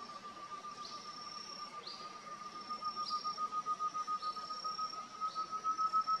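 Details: Such's antthrush in Cantareira State Park, São Paulo state, Brazil, December 2023, gives a long, fast run of hollow notes at a steady low pitch, growing louder toward the end, with thin, high, down-slurred whistles about once a second behind it.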